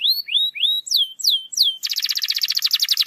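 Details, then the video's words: Canary song meant to get a lazy canary singing: three rising whistled slurs, three sharply falling notes, then a fast rolling buzzy trill. "PANCINGAN KENARI MALAS BUNYI"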